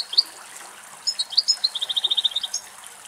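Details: Male European goldfinch feeding on a dried thistle in the Greek countryside; high, thin chirps lead into a rapid, even trill of bright repeated notes lasting about a second.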